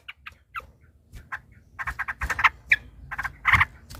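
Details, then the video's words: Yellow-vented bulbul giving excited fighting chatter as a lure to make other bulbuls sing. Scattered short notes build into dense, loud clusters of harsh chirps in the second half, with a low background hum. "trucukan ropel panjang TARUNG PANCINGAN TRUCUKAN agar bunyi jadikan burung trucukan gacor EMOSI"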